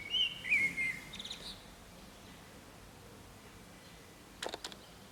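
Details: Common blackbird perched on an antenna in San Martín's town centre, Zamudio, Bizkaia, singing on 23 April 2019; a brief burst of mellow warbled whistles opens the recording, followed by quiet and a few faint clicks.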